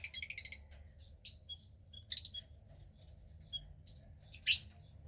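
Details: Female cockatiel chick of about 15 days, gray with a little white on the wings, uttering a fast series of thin high chirps, then scattered short squeaky notes and a final raspy burst.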